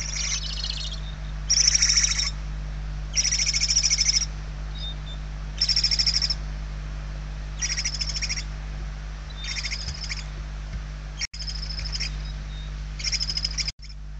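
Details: Barn owl nestlings begging from hunger inside their nest in Spain on 28 November 2023, one of them very weak; harsh snoring hisses about one second long, repeated roughly every one to two seconds.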